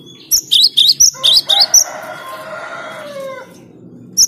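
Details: Cinereous tit, called gelatik batu, in a rival-provoking song: a fast run of bright high two-part notes, then a drawn-out lower buzzy churring that fades away.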